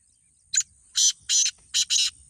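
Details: Black francolin calling during a kala teetar contest: a clipped first note, then two long grating syllables and a final quick double, all raspy and high, with a low rumble beneath.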